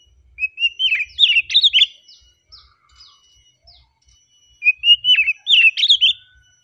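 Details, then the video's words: Oriental magpie-robin in relaxed song, giving two loud phrases of sweet, tumbling whistles that open with a steady note and break into rapid up-and-down slurs, with soft scattered chips between them. "KACER KICAUAN SANTAI NYA BIKIN HATI JADI TENANG"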